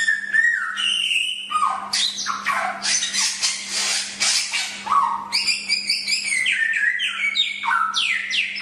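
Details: Chinese hwamei song used as a training recording: loud, varied phrases of clear whistled notes, sliding rising and falling slurs and harsh buzzy bursts running almost without pause, over a steady low electrical hum.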